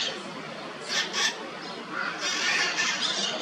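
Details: Toco toucan filmed at Boa Vista in Itajubá, giving harsh, rough squawking notes in short bursts: a pair near one second, then a longer run of coarse calls through the final second and a half.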